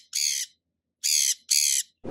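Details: Sun conure (Aratinga solstitialis), a vocal bird whose chirps can reach 120 dB, gives three loud, harsh, high-pitched screeches of about a third of a second each in quick succession, with a fourth just starting.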